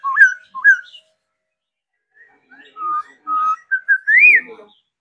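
A laughingthrush sings loud, clear whistles: two quick slurred notes, a brief pause, then a run of rich fluty phrases ending in a higher rising flourish.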